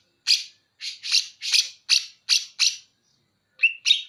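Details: Banyuwangi greater green leafbird in cucak jenggot mimicry: a string of seven loud, raspy, buzzy chirps, a brief silence, then a short whistled note and a rough trill.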